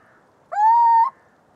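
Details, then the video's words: Single sustained Little owl call, rising at the start and then level and plaintive for about half a second, loud against a quiet, slightly hissy background. "Canto do mocho-galego (Athene noctua)"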